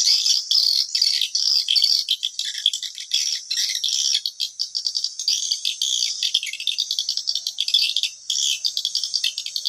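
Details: Lure sound for swiftlets at a bird house, a rattling, clicking high chatter of fast repeated pulses, broken into short rhythmic bursts toward the end.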